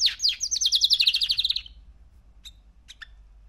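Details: Three-month-old male canary singing: a fast run of bright repeated notes, about fifteen in under two seconds, sliding slightly downward, then a pause with a few separate high chirps.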